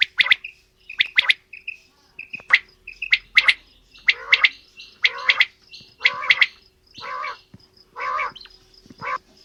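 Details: Quail, female and male, calling in a mixed bout. Rapid triplets of bright, sharp notes alternate with lower, rougher buzzy phrases, repeated about once a second over a steady faint hum.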